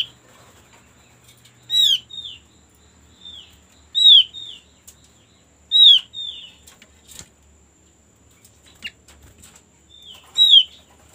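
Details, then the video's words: White-eye (opyor) recording used as a lure to make other birds sing: thin, high, downward-slurred chirps in short clusters about every two seconds, with quiet pauses. "pancingan paling ampuh agar cepat bunyi untuk burung opyor"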